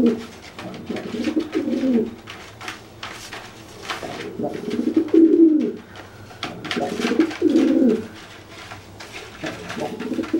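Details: Dry pigeon cooing to threaten a wet pigeon that cannot fly after bathing, puffing itself up; low rolling coos in three bursts about every two to three seconds, with soft clicks and shuffling between them.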